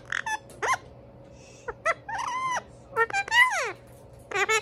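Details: Indian ringneck parakeets, two brothers, trading a bursty run of squeaks, ticks and slurred whistled notes, including a steeply falling squeal, in irregular clusters over a low steady hum.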